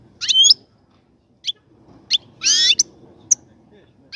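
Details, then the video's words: Caged European goldfinch singing while a breeding cage is prepared: scattered short bright twittering bursts and clicks separated by pauses, with faint low background hum. "الغناء الجميل جدا لحسون الحسون"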